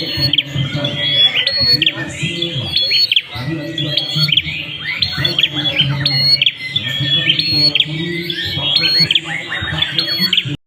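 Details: Dense, busy chirping of an ashy prinia, high clipped notes and rapid flicks tumbling almost without pause, while people talk quietly beneath.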